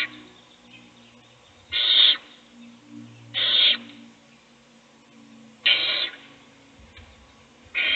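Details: Nest box with an owl feeding a chick while the brood sleeps; five harsh hissing bursts at irregular gaps across eight seconds, over low murmuring noise and faint shuffles.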